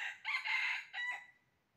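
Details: Red junglefowl crowing during trapping on 20 January 2023: a loud, raspy crow with a brief opening note, a long strained middle section and a clipped ending, over about one second.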